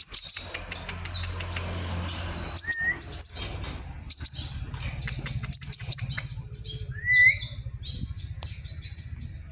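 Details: Kalimantan white-rumped shama in full vigorous song: a long run of piercing high whistles mixed with crisp clicks, a lower rising whistled note midway and another swooping whistle later, over a steady low mechanical hum.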